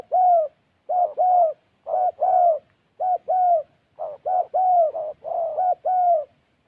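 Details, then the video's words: Decoy spotted dove in Gia Lai, Vietnam, gives a run of paired coos, a short note then a longer slurred one, repeated roughly every second in a clear, quiet setting. "Gác cu gáy_ Bổi nước xa tốt, có kèm"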